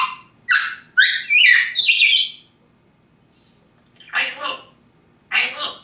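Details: Pet parrot indoors chattering in a rapid run of high squawky syllables, then a pause and two more harsh bursts, with a person talking around it.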